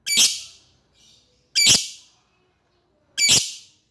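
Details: Harsh piercing lovebird screeches aimed at an opponent, three loud bursts about 1.5 seconds apart, with faint softer chatter in one gap and a slight room echo.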